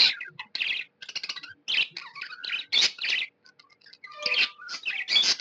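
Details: Budgerigar kept as a pet, said to be happy, chatters in bursts of raspy chirps with short gaps, mixing in thin whistled notes and squeaky clicks.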